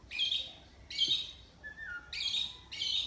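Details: Oriental magpie-robin kept in a cage in Miri, Sarawak, recorded for an online singing competition. Four short harsh, buzzy bursts come in quick succession, with one thin descending whistle between them.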